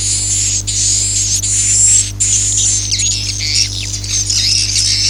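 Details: Swiftlet call in the Akau ngaji style: dense, high, rapid twittering and chirping notes in overlapping bursts with brief gaps, over a steady low electrical hum.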